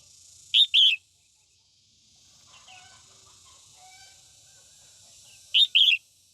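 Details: Female red-whiskered bulbul singing at morning to provoke white-cheeked males: a clipped two-note chirp phrase, several seconds of quiet faint twittering, then the same two-note phrase repeated, with light background hiss.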